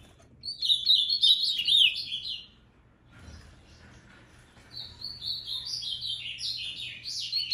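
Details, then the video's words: Ultramarine grosbeak, moicano song: two bursts of sweet, rapid warbled notes separated by a short pause, each phrase a chain of quick up-and-down slurs at a high pitch. "Azulão moicano"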